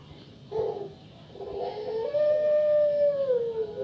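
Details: Female Puter pelung dove with a notably fierce voice, used to lure other Puter pelung doves into calling; a rough burst, a pause, then a long, even, clear coo that slowly falls at the end.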